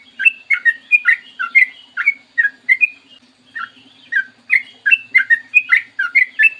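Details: Trucukan, or yellow-vented bulbul, in clear morning song recorded to lure kept birds into singing: two bursts of rollicking whistled doublets separated by a quieter gap of about a second.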